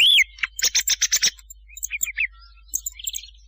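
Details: Night hunting lure for thrushes: a loud slurred whistle opens, followed by a quick run of six buzzy high notes, softer twittering chirps, and a final short trilled burst.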